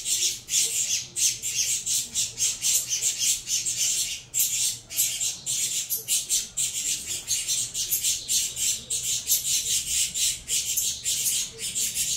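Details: A brood of captive saffron finch chicks, Venezuela CMA crossed with CVK 103, beg continuously while fed, a rapid, relentless chatter of hissy, raspy high squeaks.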